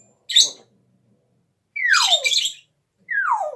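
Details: Pet parrot coughing: a short harsh broadband burst, then a longer rough double burst and a loud whistle sliding downward, ending with a second falling whistle.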